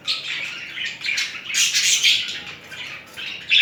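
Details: A budgerigar from a mating pair, the two birds courting each other, gives a loud, continuous, hissy warble with buzzy high notes that swells in the middle and rises again at the end.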